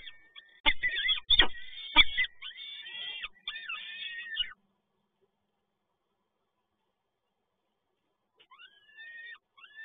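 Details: Peregrine falcon nest at PGE Toruń, Poland, on 7 May 2022, with the male arriving with more prey: several seconds of harsh, wavering wailing calls with loud thumps, then silence, then faint calls resuming near the end.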